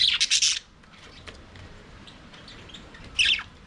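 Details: Budgerigars in an aviary, singing and playing: a loud burst of harsh, high chatter opens, a long quiet stretch with faint twitters follows, then another short scratchy squawk.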